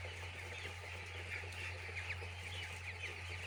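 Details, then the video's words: Many chicks on a poultry farm peep constantly, with thin, high chirps tumbling over one another. A steady low mechanical hum runs throughout. "Chicks Enjoy In Poultry Farm"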